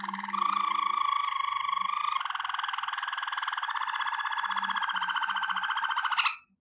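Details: Waterslager canary training song, a long continuous low rolling tour of tightly pulsed notes lasting about six seconds, slightly shifting in pitch midway, with faint low sounds beneath.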